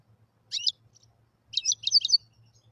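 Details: Brief song from a wild European goldfinch: a short sharp twitter, then a longer run of bright, tinkling, fast-changing notes over a low background hum.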